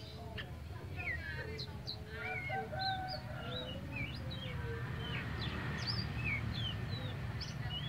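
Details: Actively singing tame Oriental magpie-robin (kacer poci): a fast run of varied whistled slurs and chirps, some rising and some falling, with a quieter warbled passage early on, set against constant low background rumble.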